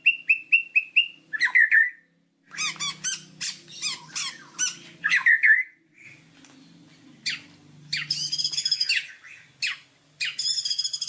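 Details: White-rumped shama in full varied song, used for training birds: a few clear rising whistles, then dense chattering and squeaky phrases and high buzzy trills, with a faint low hum in the background.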